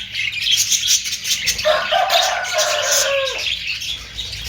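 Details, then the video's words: Budgerigar, called an Australian parrot, giving dense, continuous high chattering and warbling twitters throughout, with a steadier lower droning tone that holds for about two seconds in the middle. "Austrailian perrot sound"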